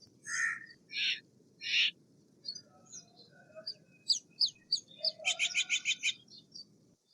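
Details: Steller's jay opening with three harsh raspy notes spaced under a second apart, followed by a run of short clicks and a rapid stuttering series of about six high notes near the end.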